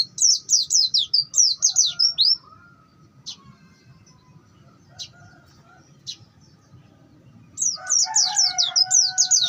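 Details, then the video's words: Long-tailed shrike bongkar isian song, a masteran recording: two bursts of rapid descending high chirps, one at the start and one at the end, separated by a quiet stretch with a few isolated sharp clicks. "Ngalas panjang bongkar isian."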